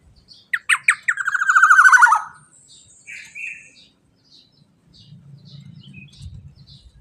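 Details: Male black-naped oriole, 'teler' song used to prompt other birds to sing: staccato falling notes run into a short rolling trill, then quieter whistles and a low hum fill the remaining seconds.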